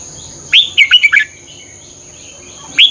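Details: Red-whiskered bulbul from Thailand, played for caged birds. One short phrase of four or five bright warbled notes, each sliding down from high to mid pitch. A second note starts at the end, over a steady thin high whine.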